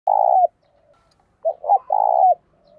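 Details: Captive spotted dove kept as a lure bird to quickly rouse wild doves into cooing, voice styled thổ sấm and thổ bầu; a low hollow coo, a brief pause, then a stuttered double note and a long wavering coo.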